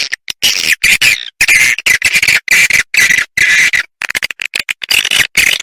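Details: Roost lure sound of edible-nest swiftlets, used to attract the birds to roost: bursts of shrill, buzzy twittering, each lasting under a second, separated by abrupt short silences.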